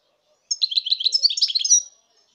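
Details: European goldfinch delivering a lively, tinkling phrase of rapid twittering syllables and buzzy trills, about one and a half seconds long, in a quiet setting.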